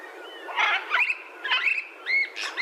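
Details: Macaw giving a run of raspy squawks mixed with short whistled, arched notes, about five bursts in under three seconds.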